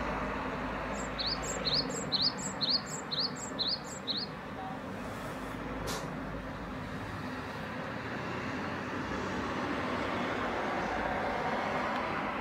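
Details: Great tit giving a single short run of bright two-note phrases early on, high note then rising whistle, before a passing noise burst and a long stretch of steady low rumble with no further calling.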